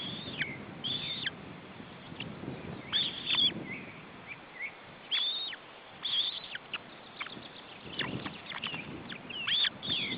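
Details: At an osprey nest in Estonia in June 2012, as chicks are fed, scattered high squeals and thin whistles come in short clusters separated by pauses, over low rustling.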